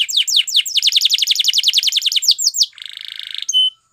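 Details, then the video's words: Canary singing for training other canaries, delivering a very fast, even tour of downward-slurred notes, roughly eight a second, breaking into a buzzy roll and a final pure whistle. "Unexpectedly, The Sound Of This Canary Attracted Many Canaries To Song"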